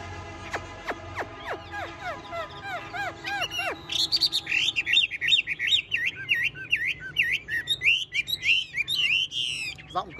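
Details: Well-tamed caged Chinese hwamei keeps singing: a slow run of sharp downward-sliding notes quickening into a fast string of looping, rising-and-falling whistles, loud and continuous for several seconds.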